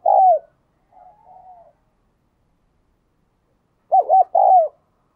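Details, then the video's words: Spotted dove kept as a decoy, cooing in the thúc and gáy gọi bổi styles to lure wild birds. The tail of one phrase and a faint soft note come first. After a pause, a full phrase follows: two short hoots and a longer descending coo. "Tiếng Chim Cu Mồi thúc Và Gáy Gọi Bổi"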